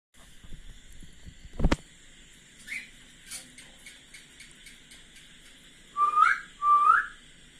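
Young cockatiels give two clear, rising whistles near the end, after a few faint chirps.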